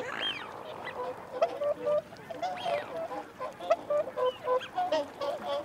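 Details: Whooper swans make feeding and territorial calls amid wigeon and mute swans. The clip opens with a sharp falling whistle, then clipped honks repeat in a fast, uneven run.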